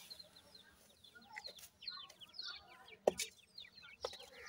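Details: Grey francolin chicks, five young with attentive parents outdoors; soft high peeps sliding downward in loose runs, with a couple of sharp knocks near the end over faint background hiss.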